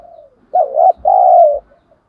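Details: Decoy spotted dove (cu gáy, 'giọng thổ sấm' voice style) calling to lure others: a soft falling coo, then a loud two-part phrase with a short wavering note followed by a longer, steady, slightly falling coo.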